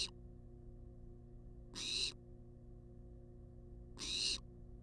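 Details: Food-demanding hiss from a wild barn owl at a research nest box on live cam; broad rasping bursts of about half a second come roughly every two seconds against a faint constant hum.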